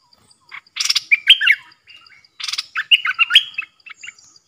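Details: Bulbul used as a decoy for wild birds: buzzy rasping bursts, each followed by a tumbling run of clear whistled chirps, repeated twice.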